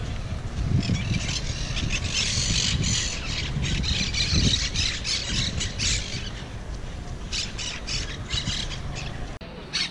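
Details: Wild, invasive Monk parakeets at Malagueta beach, Malaga, giving harsh, grating squawks in rapid, uneven bursts, several a second, over a steady low rumble of wind or surf.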